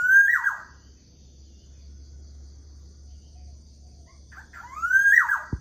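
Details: Black-naped oriole singing in the morning: a loud, fluty, slurred whistle that rises and then drops. It repeats after about five seconds, with a soft note in between and a steady low hum behind.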